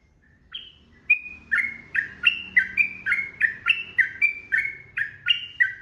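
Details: Yellow-vented bulbul (trucukan) singing a long 'ropel' song used as a master recording for training cage birds: a steady run of about thirteen bright, slurred whistled phrases, each dropping in pitch, roughly four per second, with faint low hum beneath.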